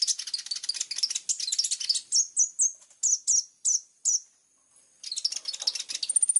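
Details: Plain-throated sunbird, locally kolibri ninja, in lively, clear-voiced 'full tembakan' singing: a fast high twittering run, then spaced sharp whistled notes, a brief silence, and renewed rapid chatter ending on a thin sustained whistle.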